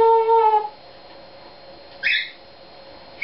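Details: Pet Eclectus parrot singing one of its own made-up songs: a clear, steady whistled tone with rich harmonics held for about half a second, then a short harsh squawk and a brief final note after a quiet pause.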